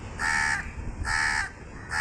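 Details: A crow repeats loud, flat, drawn-out caws about once every second, each harsh and even in tone, over a low background rumble.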